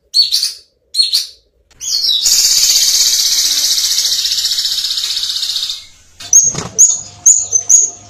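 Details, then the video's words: Violet cuckoo, kedasih ungu, giving clear, rapid 'tembakan' calls: two brief high notes, then a long, dense, buzzy trill lasting about four seconds, followed by a run of short, sharp upslurred notes repeated roughly twice a second. "Masteran Kedasih Ungu Gacor Full Tembakan Jernih"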